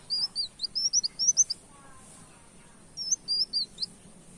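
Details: Canary-imitating song of a brown-throated sunbird used for luring birds: two bursts of sharp, high rising whistles, the first about nine notes long, a pause, then about six more, with low hum beneath.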